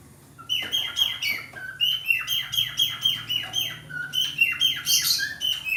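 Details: Male budgerigar in breeding condition, kept by a breeder, chatters in a lively rhythmic warble of sharp high chirps with quick downward slides, some short low whistles, and a harsh scratchy burst near the end.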